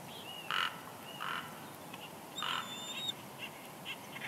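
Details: Quiet high whining from a female bald eagle at a California lakeside nest in early March, a thin level whistle held for over half a second, mixed with short soft bursts of rustling as food arrives.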